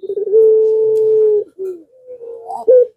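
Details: Barbary dove, pelung type, calling to draw replies from doves that seldom call: a long, even, humming coo over a second long, then softer short notes and a sharp rising final note.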